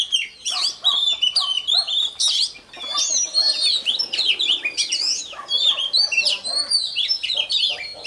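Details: Oriental magpie-robin, newly taken from the wild, rehearsing its voice in the morning: loud, varied whistles and crisp clicks delivered in rapid overlapping phrases, with short gaps between bursts.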